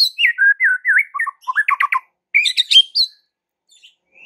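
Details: White-rumped shama song used to rouse a quiet shama into fierce singing: repeated wavering whistled notes, then quick chattering phrases and a burst of high notes before silence.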